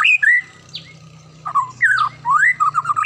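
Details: White-rumped shama (murai batu) singing in the morning, a song said to set other shamas singing; loud slurred whistles swooping up and down, with sharp high downstrokes and a quick stuttered run of notes near the end over a low steady hum.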